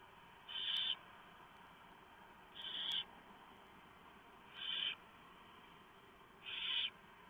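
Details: Barn owls at their nest around 4 AM, 3 November 2015, during a huge mouse delivery by the male. The owlets are being fed. Four breathy, rasping hisses sound at roughly two-second intervals over low steady noise.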